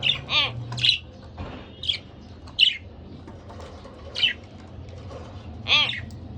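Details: Budgerigar pair kept as pets chirping loudly, with ringing harmonic calls and squawky notes in irregular bursts, plus a brief low thump.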